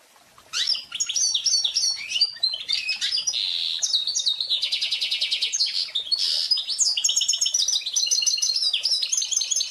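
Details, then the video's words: A pintagol, a goldfinch × canary hybrid (male goldfinch crossed with female canary), sings a long, fast, varied song of twittering notes, buzzy trills and rapid rattling phrases, with no pauses. "O canto do Pintagol"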